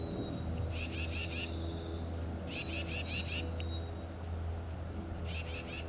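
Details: Tufted titmouse (Baeolophus bicolor) at Lake Livingston State Park, Polk County, Texas, 7 March 2014, sings three short bursts of four or five quick clear whistled notes, like "peter-peter-peter", over a steady low rumble.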